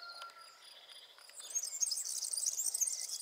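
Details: Singing male European serin near streams and wetlands sings constantly: after a quieter start with a few thin, faint whistles, it bursts into a very high, rapid, fizzy jingle of tinkling notes.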